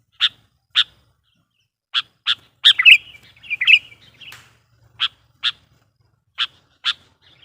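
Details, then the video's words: Sooty-headed bulbul lure recording meant to call wild kutilang: sparse sharp single chips spaced irregularly, with a brief buzzy, scratchy warbling burst in the middle. The notes are fairly soft. "suara burung KUTILANG GACOR GARUDA bikin emosi kutilang liar"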